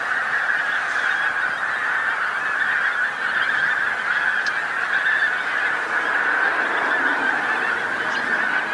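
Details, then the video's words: Pink-footed geese down on a field beside the A149 in North Norfolk, England, at sunset; a thick chorus of repeated honks from countless birds, with a few sharp higher notes standing out. "Pink-footed Geese North Norfolk"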